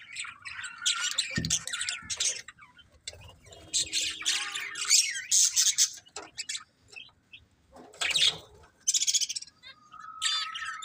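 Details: Pet budgies squawking and chirping: harsh, scratchy bursts alternating with high whistled notes, irregular and overlapping, with occasional short pauses.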